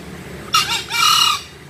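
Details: A green junglefowl crows once, a hoarse clipped first syllable and then a longer, grating, level second syllable.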